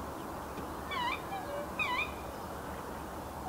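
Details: Black swans seeking to fight for mates at Pekapeka wetlands reserve in the morning, beside a highway: two short, musical bugling notes about a second apart, each rising then falling, over steady rushing traffic noise.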